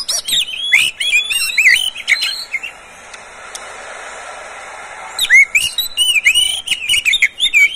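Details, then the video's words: Oriental magpie-robin kept by its owner, its song offered to stir other magpie-robins into singing. Dense, chattering whistles fill the first two and a half seconds. After a lull, a second lively burst of looping whistled notes follows. "SUARA BURUNG KACER, cocok buat pancingan Kacer pagi, siang, sore"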